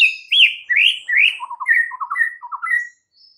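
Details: White-rumped shama song to provoke rival shamas: rich, rolling whistled phrases, rising and falling, followed by lower quick stuttering notes alternating with mid-pitched whistles.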